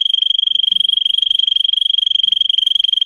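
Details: Russian singing canary bred for song, recorded for training other canaries: a fast, unbroken rolling trill of rapid pulses at one steady high pitch, held throughout three seconds.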